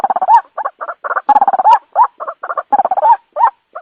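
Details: White-breasted waterhen lure call played at night: dense bursts of harsh, chattering croaks around a nasal, rising 'kwak', broken into irregular groups with short pauses, loud and clean with no background sound.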